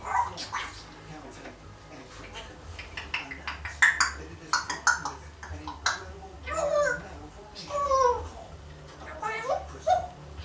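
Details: A one-year-old female African grey parrot babbles mimicked human phrases in quick, speech-like bursts with sharp whistled tones and gliding pitches, over a low steady background hum.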